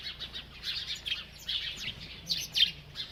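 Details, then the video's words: High, thin chirps from a bird that keeps eating, tumbling in a quick, uneven chatter that peaks in a pair of louder notes near the end. "This Happy Bird Won’t Stop Eating and Chirping"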